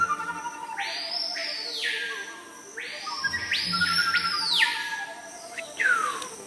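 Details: Screaming piha (Lipaugus vociferans) on an Amazon rainforest trail gives its loud, ringing whistled call, two long swooping phrases then a sharp rising whip, over low forest hum with faint voices; called the sound that best represents tropical forest birds.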